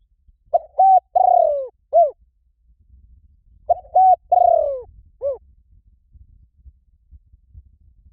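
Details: Spotted dove decoy call for bringing in wild doves: two complete phrases about three seconds apart. Each has a short coo, a level note, a long downward croon and a closing coo, over a faint low rumble.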